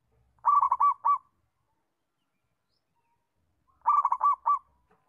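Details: Local zebra dove, perkutut, used as a master recording to train other doves to call diligently: two bursts of soft cooing, each a rapid trill of notes ending in clear separate coos, about three seconds apart.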